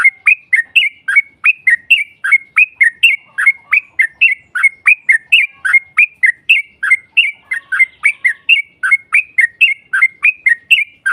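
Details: Yellow-vented bulbul singing a long 'ropel' lure song meant to provoke a rival: bubbly two-part phrases repeated steadily, nearly one per second, continuing without a break.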